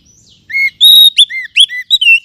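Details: Kacer (Oriental magpie-robin) song played to boost other birds: a thin, high opening, then loud, sweet whistled notes. Long steady tones alternate with short arched and rising slurs.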